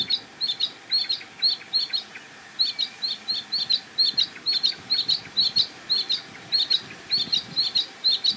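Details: Sedge Warbler perched high in a tree at a reedbed marsh, repeating short, dry, slurred chips about twice a second in a steady, slightly uneven series.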